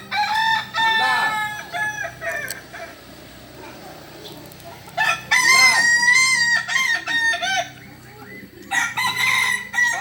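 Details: Kukuak Balenggek rooster from Solok crowing repeatedly: an opening crow of about two seconds, a pause with soft clucks, then a long stepped crow broken into several syllables, and another crow starting at the end.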